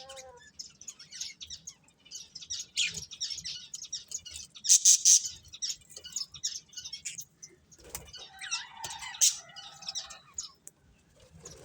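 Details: Colourful budgerigars, a breeding pair, keep up a fast, scratchy, high-pitched chatter that runs almost without a break, swelling into a louder squeaky flurry midway.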